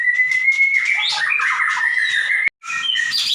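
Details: Caged white-rumped shama in energetic song for training other birds: a steady clear whistle held near two seconds, overlaid with buzzy chattering notes, a brief silent gap, then quick varied high phrases.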